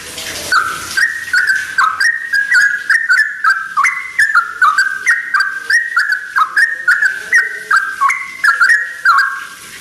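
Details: Sooty-headed bulbul singing at dawn, the first bird heard in the early morning: loud, bubbly whistled phrases stepping up and down in pitch, delivered in a steady unbroken run of short notes.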